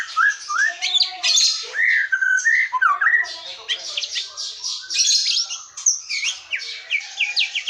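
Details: Forest white-rumped shama song meant to lure silent or young shamas into singing: a quick run of slurred whistles leads into crowded, high, scratchy notes and rapid twittering phrases.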